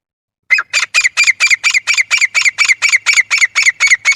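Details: Grey francolin giving a loud, harsh, squawking call used for hunting: about fifteen grating notes in quick, steady succession, roughly four per second, with no other sounds.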